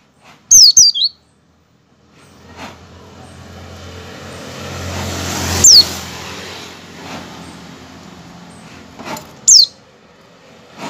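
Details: Oriental white-eye calling ('ngecal'), used as a lure to get other white-eyes to open their beaks and sing: a quick pair of sharp, high, downslurred notes, then two single downslurred notes several seconds apart, over a low rumble of background noise.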